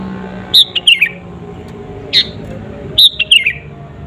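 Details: A sooty-headed bulbul sings actively in a pure recording with no other birds added, used to provoke rivals: tumbling clear notes dropping in pitch, then a single fuller note, then another descending phrase.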